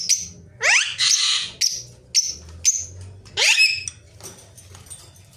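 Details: Talking pet ringneck parrot: harsh rising-and-falling screeches alternate with brief squeaky notes, four or five loud bursts across the stretch before it fades.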